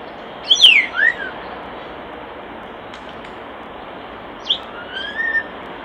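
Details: At a nest box, a common starling makes sliding whistles that fall in pitch, then a pause before a short high note and a faint, long, drawn-out whistle.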